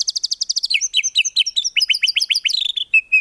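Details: White-rumped shama, murai batu, in full tembakan-filled training song without ngukluk: a fast run of high clipped notes sliding into a jumble of quick descending chirps, ending in two short whistles.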